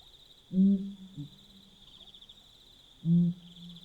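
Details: Deep, booming hoots of a Pel's fishing owl at night in Botswana, a call pairs use to keep contact and hold territory. Two loud, low hoots come about two and a half seconds apart, each trailing into a hum, over constant insect buzzing.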